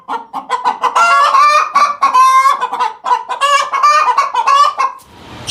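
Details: Weird chicken noise: a fast, continuous stream of loud nasal honking squawks, some stretched and wavering, ending abruptly with a short burst of rustling.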